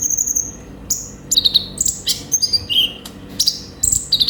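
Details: Konin, the olive-backed sunbird, in active song: a long thin whistle opens, then brisk chips, descending whistled slurs and short trills tumble out in varied order.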